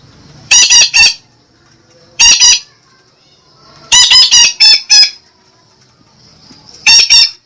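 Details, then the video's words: Parakeet calling loudly: rapid clusters of two to five grating, rasping squawks, then pauses of a second or more before the next burst, over a quiet background. "suara merdu burung betet"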